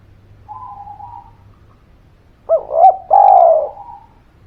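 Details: Spotted dove, a lively calling bird used as a lure to prompt quiet birds to sing: a soft low hum, a pause, then two quick hiccuping notes and a long descending coo.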